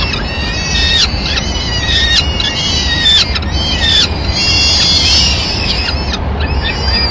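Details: Peregrine falcons at a nest in Madrid on 25 April 2016: the male keeps watch, the female arrives with a pigeon and calmly feeds the chicks. High, harsh, arched calls come in quick overlapping bursts over a steady low rumble.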